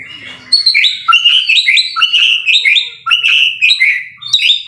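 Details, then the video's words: A white-rumped shama (murai batu) in full voice: after a soft start, loud runs of sharp whistles and staccato chips in rapid succession, with rising and falling notes and short pauses. "MASTERAN MURAI BATU SUPER GACOR"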